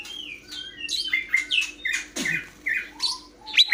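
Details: Cucak hijau, the greater green leafbird, giving a jumble of separate whistled and chirping phrases, some slurred downward, spaced roughly every third of a second over a low steady hum.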